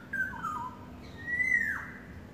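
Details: Yellowbird in courtship, one long wavering whistle falling in pitch, then a rising, held whistle that drops abruptly at the end; low steady hum behind.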